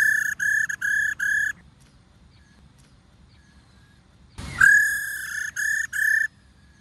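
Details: A female White-cheeked laughingthrush, played to stimulate males to sing, gives short, even, nasal notes in quick runs of four or five, with brief pauses between runs and soft background hiss.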